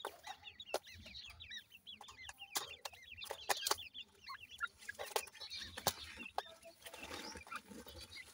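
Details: Grey francolin (dakhni teetar) chicks from Punjab, Pakistan, giving many thin, rising peeping chirps in quick overlapping bursts, with sharp clicks and scratching from handling or movement throughout.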